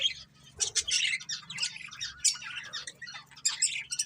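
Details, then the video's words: Budgerigars, a breeding pair, chirping: dense bursts of scratchy, warbling chatter and short squawky notes, high-pitched, running almost continuously with brief pauses; faint low hum underneath. "Cute Budgies Chirping Sounds"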